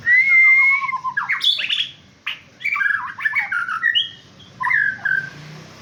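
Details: Male white-rumped shama (murai batu) in full varied song: a long clear whistle and falling slurred note lead into rich, rapid chattering phrases and squeaky flourishes, with brief pauses and a faint low background hum.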